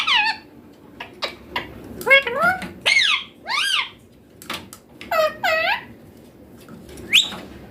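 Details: Baby green Indian ringneck parakeet speaking Hindi words, mummy papa, clearly. A run of short, sharp, nasal syllables comes in quick bursts, some sliding downward, with brief pauses and a quiet room behind.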